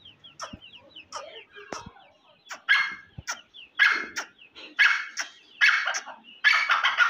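A grey francolin's loud, harsh, ringing phrases repeat roughly once a second, growing louder and more rasping toward the end, with thin chirps from other birds between them.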